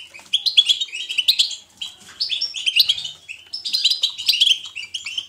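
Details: European goldfinch chirping in natural, energetic style, meant as positive stimulation for other goldfinches. Three long phrases of quick, sparkling twitters and nasal trills, each running over a second, with brief breaks between.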